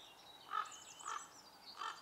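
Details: A common pheasant in Ljubljana Marsh, Slovenia, on 21 April 2023, gives three harsh, hoarse notes about half a second apart, over a faint hiss of background noise.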